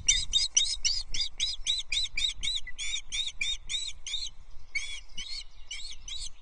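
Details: Feeding time at a Loch Arkaig osprey nest, 19 May 2023, the male having brought the female a small breakfast. Rapid bursts of shrill, piping chirps, grouped in runs separated by short pauses, with low rumbling underneath.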